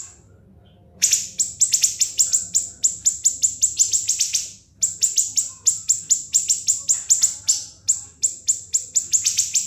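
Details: Long ngebren siri-siri song, a master for murai batu, kacer and cucak ijo: after a second of quiet, continuous rapid piercing high chips pour out for over eight seconds with one short break.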